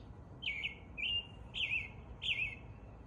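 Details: Spring morning song from an American robin: four clear, slurred, up-and-down whistled phrases, each about a quarter second, spaced roughly every half second.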